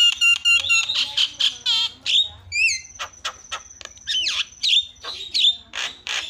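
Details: Lure sound of a Javan myna to make other mynas call: rapid ringing notes, upward-sweeping squeaks, a sustained high whistle over clicks, and harsh chattering phrases, quite busy throughout.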